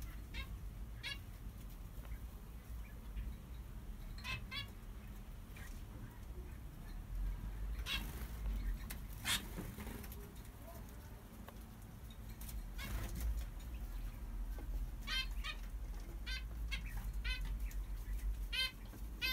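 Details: Aviary zebra finches, a newly hatched chick among them, alongside diamond doves and quails; brief nasal calls with stacked overtones repeat in loose clusters, sometimes quickly doubled, against constant low rumble and occasional clicks and rustles.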